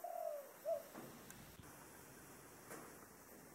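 A dove's low, soft coo: a drawn-out hollow note, then a brief second one. Faint, quiet indoor background follows.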